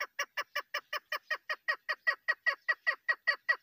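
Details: Female chukar partridge used for hunting repeats a harsh, cackling chuk note about four times a second in an even, unbroken series, each note rough and clipped.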